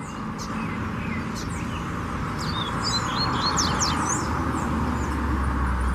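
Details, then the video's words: Lined seedeater singing out in nature: quick high sliding chirps and short whistled notes in rapid bursts, under steady low rumbling background noise. "Bigodinho Cantando Na Natureza"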